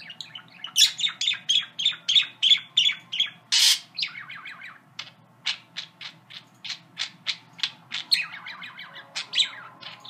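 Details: Singing pet parakeet with favourite phrases: quick chirps and one loud harsh squawk, then clipped ticking notes repeated about three times per second, ending in chattering warble, over a low steady hum.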